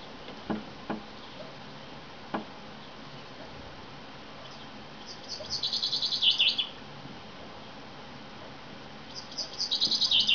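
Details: Common chaffinch knocking on a window: three sharp dry taps in the first few seconds, followed by two loud chaffinch song phrases, each a rapid descending trill ending in a flourish.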